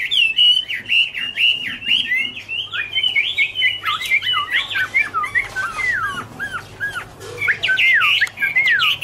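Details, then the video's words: Chinese hwamei (Garrulax canorus) singing in autumn: a jumbled run of quick whistled notes, then slurred descending and looping whistles delivered in bursts. "" Autumn Love Song " Bird Garrulax canorus Singing- Birdsong"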